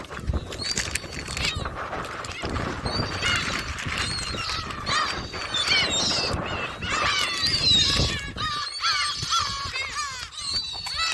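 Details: Gulls at Jebudo being fed shrimp crackers: a chorus of many overlapping high, arched, yelping calls in quick succession, with people talking, a clap and steady background noise throughout.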